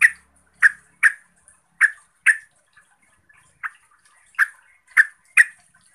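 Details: Yellow-vented bulbul; song; provoking rival bulbuls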